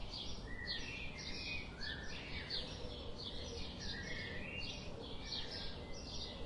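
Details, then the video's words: Several birds chirping busily, with dense, overlapping high tweets and lower sliding notes throughout, above a continuous low rumbling background. "Birds sound"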